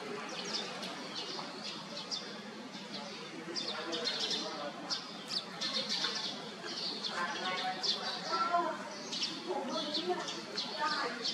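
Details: Crested mynas keep up a busy, overlapping chatter of harsh squawks, clicks and short whistles, with several birds calling at once throughout.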